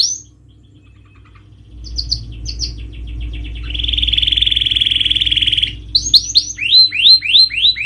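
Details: Canary lure song meant to coax a silent, stressed bird into singing: scattered high chips, then a long buzzy rattling trill, ending in rapid downward-sweeping whistled notes; low hum underneath.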